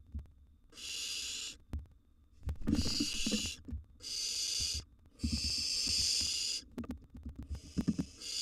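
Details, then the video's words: Barn owl nestlings, wild, in a nest box at feeding time with a mouse dropped in and a large gerbil being eaten. Repeated long, breathy, screeching hisses, about four in eight seconds, with scraping between them. "Barn Owl Nest Feeding Frenzy"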